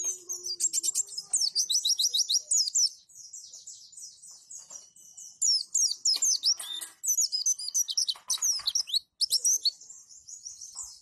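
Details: A captive white-eye sings long runs of very high, thin, rapid twittering notes, broken by brief pauses every few seconds; a song recording used to tutor other white-eyes to copy it.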